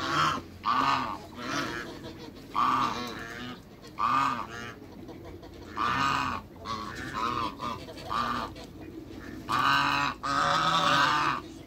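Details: A couple of African geese in a backyard with waterbirds keep up a long series of loud nasal honks, often doubled, repeated every second or two with short breaks; softer bird chatter beneath.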